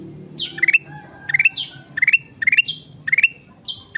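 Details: Brisk chirping phrases from a sooty-headed bulbul singing actively (gacor): a high sliding note followed by a quick climbing run of three or four notes, repeated about every 0.6 seconds against quiet low background noise.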